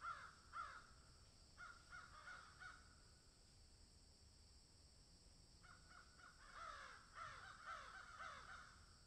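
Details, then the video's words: Crows in a field cawing in loose series of hoarse calls, with a quieter stretch in the middle and a denser, overlapping burst of caws toward the end. "crows caw in field"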